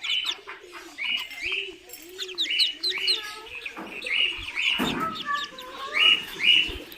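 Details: Muscovy duck chicks kept on a farm in Kamrup, Assam: a chorus of high, slightly downslurred peeps repeated about twice a second, over soft lower chirrs and a brief rustle near the middle.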